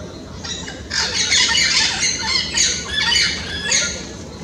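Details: Orange-winged amazons (curica) in the Amazon vocalizing to the flock at the end of the afternoon before sleeping: a continuous burst of raspy overlapping squawks from several birds, rising and falling in loudness, over a quiet natural background.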